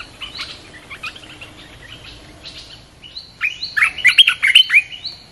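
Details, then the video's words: Red-whiskered bulbul song played to lure wild birds: quiet, scattered chirps at first, then a loud burst of bright, warbling whistled phrases near the end, with several overlapping voices. "เสียงนกกรงตาแดงEp.252 เปิดล่อนกป่า เข้าเร็ว100% suara pikit merbar belugar gacor"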